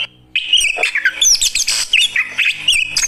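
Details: Fighter Oriental magpie-robin reacting to another bird; after a brief pause bursts into loud rapid song, sharp whistles and scratchy notes in quick varied phrases.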